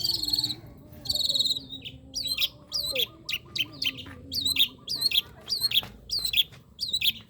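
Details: Long-tailed shrike song opening with two buzzy high trilled notes, then a steady series of sharp high chips repeated about every half second, over a low background hum.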